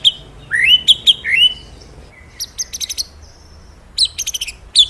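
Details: Energetic magpie-robin song for luring captive birds into singing: rising whistled slurs, sharp high chirps and short chattering bursts between quiet gaps.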